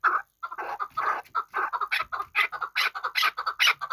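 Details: Chukar partridge used for hunting, from Qabodiyon, utters uneven bursts of loud chucking notes, some ragged and broad, speeding into a rhythmic chatter toward the end.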